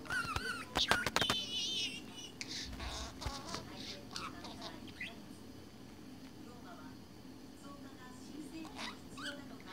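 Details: Budgerigar immersed in its own world, opening with quick clicks and a bright, wavering whistled warble, then trailing off into quiet scattered ticks and faint soft chatter.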